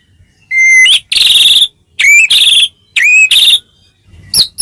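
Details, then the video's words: White-rumped shama track used to draw replies from other shamas: short pure whistles with upturned ends, each followed by a loud scratchy, buzzing burst, repeated about once a second. "masteran burung murai mewah"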